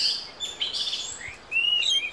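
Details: Buru thrush, a Buru Island (Maluku) endemic of dense montane rainforest at 725–1500 m that forages on the ground alone or in pairs, sings high, sweet warbled phrases with quick slurred notes and a bright rising whistle near the end, over faint hiss.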